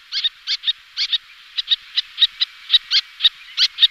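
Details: Little terns, two pairs calling and displaying in flight, give sharp, high, scratchy 'kit' and 'kirrik' notes, often doubled, about two a second, with several birds overlapping.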